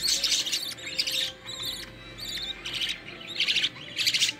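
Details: Green-line budgerigar family in the nest while the mother feeds the chicks, one an opaline carrier: rapid, scratchy high chirps in repeated bursts about once a second, with gaps between.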